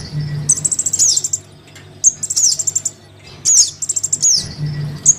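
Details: Young Crimson sunbird calling its parent, used to lure wild birds: bursts of rapid high ticking trills and shrill downslurs separated by short pauses, with a faint low hum.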